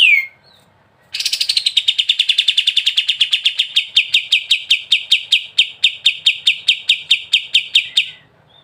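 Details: Sooty-headed bulbul singing in ngebren style as a tutor recording: one short note, then a long, steady, rapid rattling trill of evenly repeated notes running for about seven seconds.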